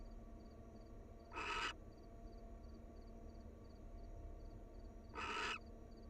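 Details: Two short hoarse hissing screeches from a wild barn owl, nearly four seconds apart, during affectionate pair bonding at the nest; faint electrical hum throughout.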